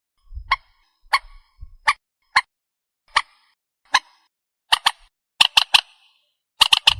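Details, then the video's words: Purple swamphen lure call for night trapping: single harsh, clicking notes spaced about half a second apart, becoming double and triple bursts toward the end, with faint low thumps early on. "Tiếng chim trích ré mòi mới"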